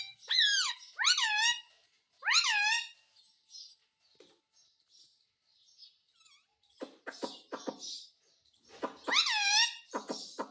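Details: Talking pet parrot asking for roti, indoors: loud arched calls that rise and then fall come in clusters of two or three, then a stretch of softer chattering syllables, and another arched pair at the end.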